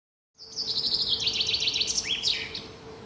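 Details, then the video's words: Small bird singing in the morning: a rapid trill of bright, high notes that slides gradually downward over about two seconds, then ends in a quick upward flourish, over faint steady background hum. "Таңкы чымчык сайроосу"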